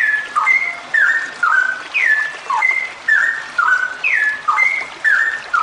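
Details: A female straw-headed bulbul (Pycnonotus zeylanicus) sings long runs of loud, liquid whistled phrases that swoop down and up, about two each second, over a faint steady hiss.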